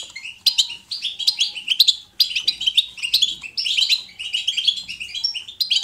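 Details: Lively natural goldfinch 'batbata', used to stimulate another goldfinch to sing: rapid tinkling trills and buzzy twitters in repeated bursts, with a clear pause just after two seconds.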